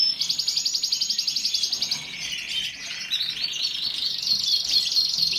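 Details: Singing canary delivering fast, even high trills repeated more than twice a second, then a brief dip and a sustained shimmering higher phrase to the end.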